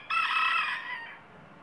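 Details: Rooster giving a single sustained, rich harmonic crowing note that holds steady for almost a second, then fades away into quiet background hiss.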